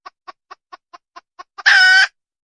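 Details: Wild junglefowl hen: eight short, evenly spaced clucks, about one every quarter second, lead into a loud, harsh, broadband squawk lasting under half a second. The background is otherwise silent.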